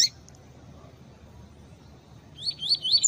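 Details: Double-collared seedeater, tui-tui type, heard alongside female calls meant to excite the male; after a long quiet stretch, a fast series of rising whistled notes closes the clip, with a brief sharp note at the start.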